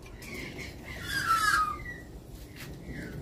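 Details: Australian magpie giving a loud, fluty whistled note that slides downward over about half a second, with fainter warbled phrases before and after and soft background rumble.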